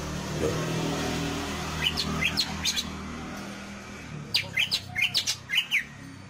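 A greater green leafbird sings bright, sharp chirps and short whistled phrases in two bursts, with a low rumble of traffic underneath.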